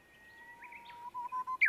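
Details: Japanese bush warbler giving a long, steady, low whistle lasting over a second, then three short separated notes and a sharp rising flourish at the end.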